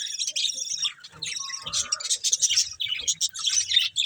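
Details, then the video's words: Budgerigars enjoying green food, giving a busy flock chatter of short, high, scratchy chirps and twitters, almost continuous, with faint low knocking beneath. "Beautiful Budgies Enjoying Eating Green Food | Love Birds Chirping Sounds"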